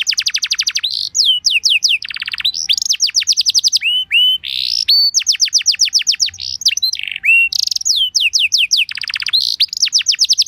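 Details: Canary singing a lure song meant to get other canaries to answer: rapid series of clear whistled sweeps, fast downslurred trills and looping notes, phrases changing every second or so, with brief pauses between bursts.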